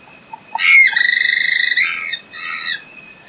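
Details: Swainson's flycatcher giving a loud, drawn-out rough note with a rapid pulsing quality, then harsher, noisier bursts, preceded by a few soft low ticks.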